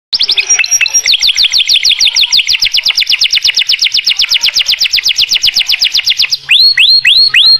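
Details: Canary song described as a richly filled Mastran performance: fast roll of repeated bright, high downward-sweeping notes, steady for about six seconds, then slower, louder curved whistled notes repeated at the end.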